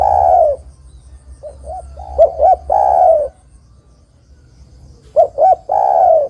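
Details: Spotted dove calling as a trapping lure to draw in other doves: loud phrases of two short hooked coos and a long falling coo, repeated after quiet gaps of a few seconds.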